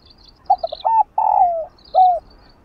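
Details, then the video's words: Spotted dove, a stimulating coo: three or four short, soft hoots, then a long burred coo gliding downward and a final downcurved note. Faint high chirps from another bird sound above. "Nếu Cu Bạn CHẬM GÁY Hãy Cho Nó Nghe Tiếng Này !!! Cu Gáy Kích Bổi"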